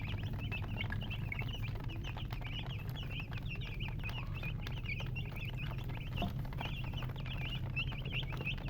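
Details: Baby chickens chirping: many short, high, slurred peeps repeated rapidly and overlapping in a busy stream, over a steady low hum.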